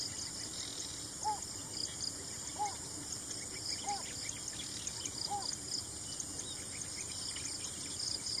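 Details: A Yellow Bittern in the Philippines calls: four short, soft, arched notes, about one every 1.3 seconds, over a steady high hiss of insects.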